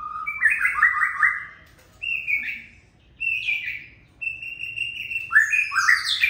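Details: Oriental magpie-robin song in separate whistled phrases: a quavering trilled run, then short clear whistles spaced by brief silences, ending in a rising burst of mixed high notes.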